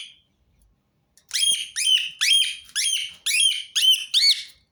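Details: After a short pause, a Rose-ringed parakeet gives a fast string of about seven shrill, ringing screeches with a whistled edge, each following closely on the last.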